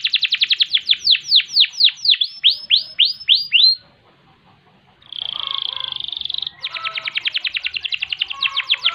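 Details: Long-singing gacor canary, ngerek and ngerol song for training: a string of loud downward-sweeping whistles, a brief pause, a buzzy sustained trill, then a fast rolling series of sharp repeated notes.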